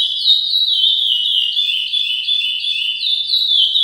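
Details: Chestnut-bellied seed finch, a captive bird being brought into form, singing a continuous stream of high, pure whistled notes that slide up and down in linked phrases, steady and loud with no other sounds.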